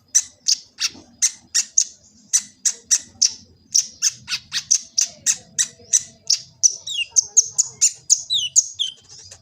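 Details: Phone-recorded kolibri ninja sunbird in Gresik, East Java, singing for training other birds: a steady series of sharp, high, clipped notes repeated about twice a second, ending in quicker twittering with down-slurred whistles.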